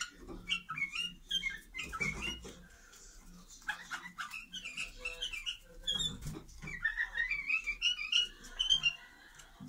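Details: White-eared bulbuls (Pycnonotus leucotis) give bubbly, chattering whistled notes in quick bursts during a dance before breeding, rising into a lively run of phrases near the end, with some clicks and low background rumble.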